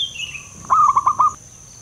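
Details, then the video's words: Local male zebra dove with a loud voice, singing actively: after another bird's descending whistle, a quick phrase of five short, rolling coo notes, evenly spaced and steady in pitch, then quiet background. "burung perkutut lokal jantan gacor suara besar"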